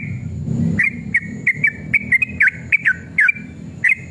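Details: Sooty-headed bulbul in an emotional fighting mood, used as a lure to make other birds answer: after a low rumbling background, a series of short whistled notes with quick bends, spaced a few tenths of a second apart.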